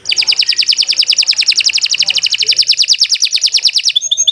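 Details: Canary delivering a steady, fast rolling trill of high, bright notes, repeated evenly for about four seconds before a brief chip.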